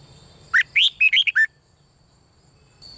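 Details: One phrase of red-whiskered bulbul bern-style song, meant for rousing other birds: six fast liquid whistles, the first rising sharply, the rest bouncing up and down, ending on a lower note, then quiet.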